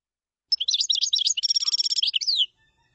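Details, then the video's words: Common chaffinch singing one two-second phrase: a jumble of high twittering notes, then an even, fast trill of repeated notes, ending in a short slurred descending flourish, with silence before and after. "تغريد تبلاط"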